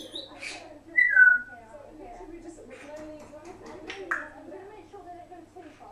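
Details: Pet African grey parrot left alone indoors with a camera running while its owners were out of the room: soft, mumbled speech-like chatter broken by two bright whistled downward sweeps near one and four seconds.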